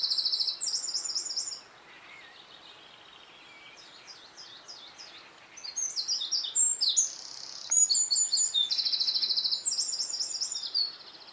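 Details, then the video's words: Wren singing at sunset during a dawn chorus: loud bursts of rapid, high, metallic trills and twittering phrases, broken by a quieter stretch of scattered thin notes before the song resumes strongly. "Wren singing at sunset"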